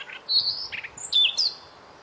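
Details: Training-song recording of a white-rumped shama: a long bright whistle, a short rattling trill, then loud swooping downward-sliding whistles ending in a high upward note.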